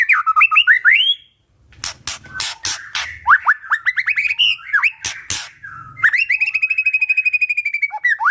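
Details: White-rumped shama in full song, used to lure other shamas into singing: varied rising and falling whistles, sharp clicking bursts, a brief pause, then a fast run of evenly repeated chattering notes.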